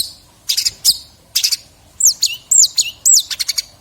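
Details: Long-tailed shrike, a bird whose varied song is offered as master material for training other songbirds: scattered loud, high bursts of notes, then sharp downslurred whistles repeated about every half second, ending in a rapid run of clicks.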